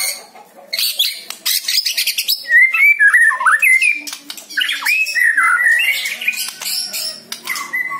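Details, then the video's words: Extended white-rumped shama song used to coax a captive bird into singing: sharp clicks and rasps giving way to fluid, looping whistled phrases, then buzzy notes and a final high whistle. "PANCING MURAI BATU ANDA DENGAN SUARA INI"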